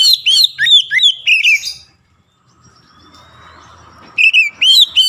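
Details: Oriental magpie-robin song meant to set other magpie-robins singing: rapid varied whistled phrases, upward and downward slurs with chattering notes, a two-second pause with faint rumble, then the lively phrases resume.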